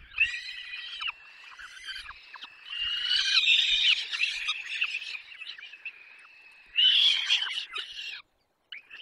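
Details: At a nest in Poland's Barycz Valley, 6 May 2021, peregrine falcon nestlings beg during a long feeding; a continuous chorus of shrill, strained whining notes swells twice into louder screechy outbursts, then briefly cuts to silence.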